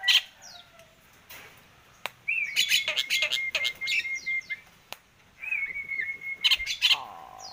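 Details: A Nias hill myna, being talked to on 17 October 2021, gives a long, steady, pure whistled note. Bursts of sharp clicks and chattering squawks come before and after it, and the whistle is then repeated.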